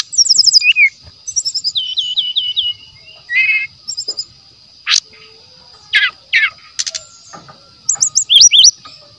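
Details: Brown-chested jungle flycatcher singing in a recording used as a lure: varied phrases of high thin notes, a run of five even repeated notes, loud sharp upward slurs and short chips, over a steady high insect-like hum.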